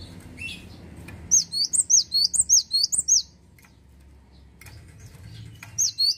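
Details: Cinereous tit singing energetically: a loud sequence of high, bright, hooked two-part notes repeated rapidly and evenly for about two seconds, a pause, then the phrase starting again, over a soft low hum.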